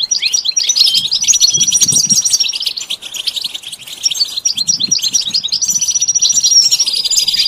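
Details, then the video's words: A sustained, energetic goldfinch song for training: rapid high chirps pour out continuously, broken by drawn-out thin whistles, with soft low knocks in the background. "The basics of training the goldfinch to sing"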